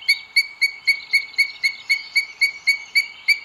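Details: Booted eagle at its nest in Sierra de Guadarrama National Park, Spain, on 2 June 2022, as the male brings food to the female. A nest webcam picks up clear, high whistled notes, about four per second, steady and evenly spaced for the whole stretch.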